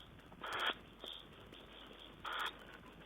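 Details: Tawny owl, 5 June 2010: two brief, breathy, rasping shrieks about two seconds apart, with a faint softer note between them over low static.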